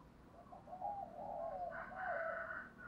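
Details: A spotted dove used as a decoy to draw in wild birds for trapping gives low, soft cooing notes. A brighter, higher, sustained sound overlaps the second half.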